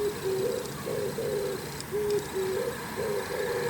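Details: Oriental turtle dove (Streptopelia orientalis) perched on an antenna in the morning, preening while calling, gives low, hoarse cooing notes in a steady, rolling rhythm of short phrases over a faint background hum.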